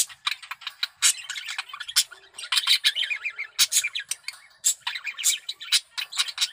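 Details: Breeding-condition male budgerigar sings a long scratchy chatter: bursts of harsh clicks, squawks and trilled chirps, broken by short gaps, rising and falling in intensity.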